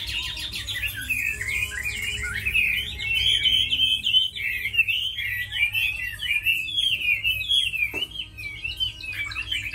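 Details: Caged tame Chinese hwamei, praised as a good fighter that sings well, delivers a continuous stream of bright twisting whistles and trills, rapid and richly varied, with hardly a break.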